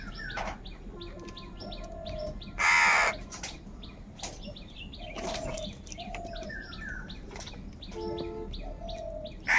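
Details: Angry crow gathering calling for food; a loud grating caw around three seconds, further rough calls later, with constant high chirps, tonal whistles and a final loud caw cutting in at the end.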